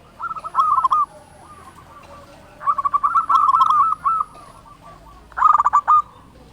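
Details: Zebra dove of local stock in loud, vigorous song meant to set other doves singing: quick rolling coo phrases, a longer run near the middle, with faint background murmur between bursts.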